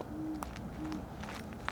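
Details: At evening at Sully Woodlands Park during a woodcock walk, a distant Great Horned Owl gives two faint, deep, level hoots about half a second apart, with a few soft clicks and light background noise.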